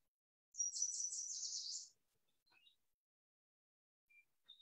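A Yellow Warbler sings one bright, high phrase of quick sweet notes lasting just over a second, followed by a few faint, thin chirps.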